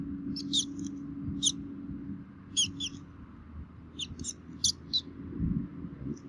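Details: At a Minnesota bald eagle nest on 3 May 2016, both parents feeding chicks; clustered high, squealing chirps in small groups with pauses, plus soft low rustles and hum.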